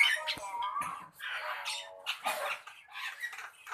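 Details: Javan myna singing a jumble of harsh, nasal squawks and raspy notes with some buzzy harmonic phrases, delivered in uneven bursts with short pauses.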